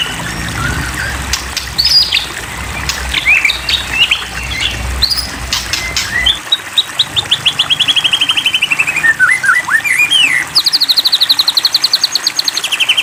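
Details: White-rumped shama song used as a lure to provoke other shamas into singing: after a noisy start, a fast run of slurred, rising-and-falling whistled notes, then rapid high repeated trills.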